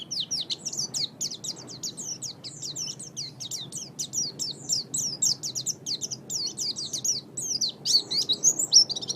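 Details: Oriental white-eye chattering song for training songbirds: a fast, continuous stream of thin, high twittering notes, about three or four per second, with short sweeping slurs and a slightly louder, busier ending.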